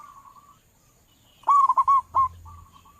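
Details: Loud-voiced local zebra dove, a lure sound for dove trappers, gives one short burst of four bubbly, hooked coos, with faint softer cooing before and after.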